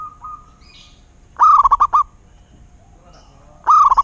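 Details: Local Zebra dove: a faint coo opens, then two strong rolling phrases of quick, bubbling notes about two seconds apart, with soft murmuring coos in the gap.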